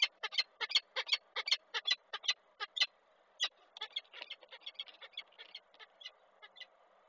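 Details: Female peregrine falcon calling from a railing in Koszalin, 20 April 2023, as the male arrives at the eggs; loud, raspy repeated notes in quick succession that grow fainter and more broken toward the end.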